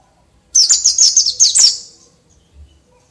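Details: Morning ngalas singing from a dakun bali oriental white-eye put out in the dew: one short, quick phrase of about eight thin, high twittering notes lasting under two seconds.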